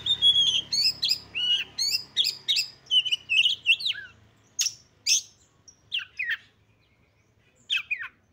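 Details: Lure call of a female Oriental magpie-robin, meant to excite males into tail-spreading and fighting: a rapid string of varied twittering whistles, then a few spaced harsh, sweeping chirps separated by silence.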